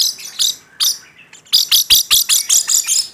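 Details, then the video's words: Rainbow lorikeet gives shrill, high screeches, a few spaced notes at first, then a quick series of about eight sharp screeches. "Suara Burung Nuri Pelangi Gacor"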